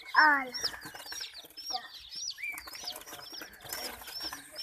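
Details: Scared chicks being attacked by ducklings and a puppy give high, thin, hooked chirps, with one loud harmonic-rich squeal at the start and softer peeps following.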